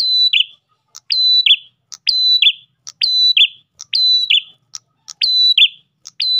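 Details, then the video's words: Ash tailorbird singing steadily to attract other tailorbirds. Short clicks precede each high level whistle, which ends in a sliding buzzy note. Phrases come about once per second in clean, quiet surroundings. "PRENJAK GACOR pancingan burung prenjak lain"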